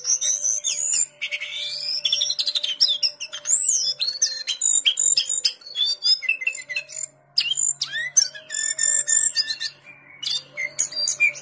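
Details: Captive lesser shortwing in Pekanbaru, kept for its melodious song. Long, varied high warble of rising and falling whistled slurs and rapid chips, with short gaps. A faint steady low hum runs throughout.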